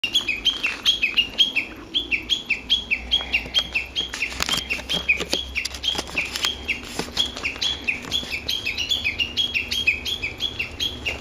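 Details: Japanese bush warbler in woodland at an ecology park, Japan, recorded without talking: a rapid, busy run of short, sharp, downward-slurred notes, several each second, carrying on steadily throughout against a faint background hiss.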